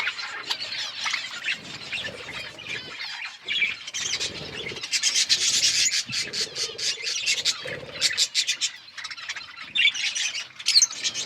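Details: Budgerigars chirping while eating food and playing: dense, rapid chatter of scratchy, buzzy chirps and short warbled notes, rising and falling in bursts over eleven seconds, with soft rubbing and scraping sounds underneath.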